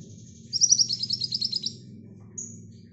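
A Brown-throated sunbird gives a thin, high, rapid run of sharp notes lasting about a second, then one short high note, over a low steady hum.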